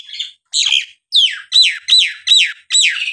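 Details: Nias hill myna song used as a prompt for lazy birds to start singing again: loud, clear whistled notes that swoop downward, repeated about every two-fifths of a second in a steady run.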